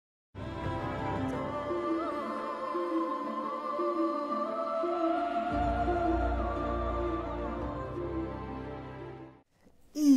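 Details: Only slow, sustained orchestral music is heard, with deep bass swells and no animal calls.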